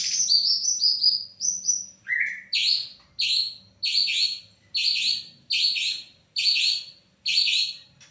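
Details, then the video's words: White-rumped shama described as a champion bird, singing bright, high chattering phrases repeated roughly every second after a quick descending opening series, loud and clear with little background noise. "TERNYATA SEPERTI INI SUARA MURAI JUARA"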